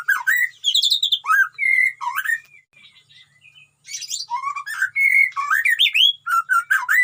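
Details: Captive white-rumped shama in a colony breeding cage, singing vigorously: rich varied phrases of clear rising whistles and slurred warbles, with a brief quiet pause mid-way before loud, fast, jumbled notes resume.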